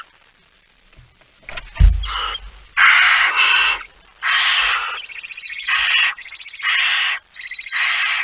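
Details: Barn owl at the nest during feeding, 19 September 2019 at 05:28; after soft rustling and a heavy thud, harsh breathy hisses of about half a second to a second follow one another with short gaps.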